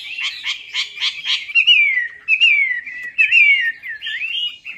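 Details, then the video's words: Melodious laughingthrush, or Chinese hwamei, song used as a lure for a quiet hwamei: four buzzy notes in a row, then long winding whistled phrases that twist up and down. "PANCINGAN WAMBI MACET"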